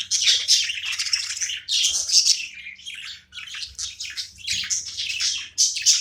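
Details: Playful pet budgie chattering in long, noisy, warbling phrases of scratchy high chirps with clicks mixed in, separated by short gaps, a soft hum beneath.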